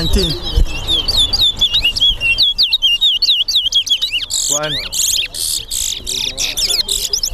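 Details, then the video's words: Towa towa competing in a singing race at a Guyana bird ground, giving quick looping whistled notes for the first seconds, then a rising human voice and clicking noise bursts over fainter chirps. "TOWA TOWA BIRD RACE"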